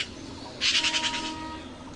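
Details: Red-billed blue magpie (Urocissa erythrorhyncha) chicks being fed by parents at the nest give a harsh, hissing burst of rapid, pulsing begging notes under a second long, with a faint thin whistle behind.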